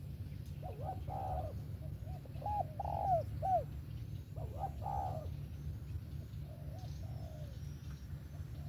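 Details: Spotted dove singing its 'về tàng kèm 123' song, soft hollow coos grouped into short phrases of quick hooked notes followed by longer falling ones, then quieter coos near the end, with constant low background hum.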